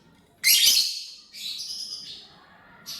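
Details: Lovebird chirping while eating corn: a loud, rough shrill chirp, then a longer, softer drawn-out screechy note, and the start of another chirp at the end.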